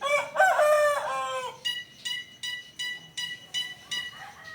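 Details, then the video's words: Unidentified strange bird calling: a drawn-out, harmonic, crow-like note lasting about one and a half seconds, rising then falling, followed by six short nasal notes spaced roughly half a second apart, over faint low background noise. "Tiếng kêu của loài chim lạ."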